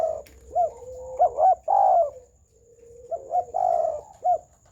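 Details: Spotted dove delivering a full, round coo, soft low hooting notes run together into two rolling phrases, each rising then falling, with a thin steady high tone behind.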